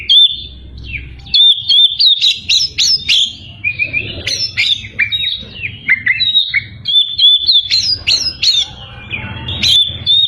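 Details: White-rumped shama singing to provoke rival birds: varied loud whistled phrases and sharp rising chirps between 2k and 8k, fast and continuous, with a low background hum.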